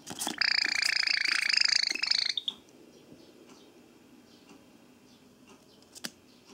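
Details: Caged pet Java sparrow, let out of its cage, comes over angrily when someone writes with a pen, recorded 7 June 2014 indoors; a loud, harsh, rapid chattering burst lasting about two seconds, then a quiet room with faint taps and clicks.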